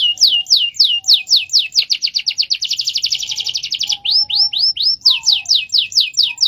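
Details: Caged canary in a long-duration rolling song: repeated downward-swept whistled notes, a rapid buzzing trill in the middle, then more falling slurred notes repeated about twice a second.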